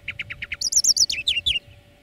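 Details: Greenfinch song recorded as a lesson for training birds: five evenly spaced chirps, then a high rippling twittered run and falling slurred notes, over a faint constant hum.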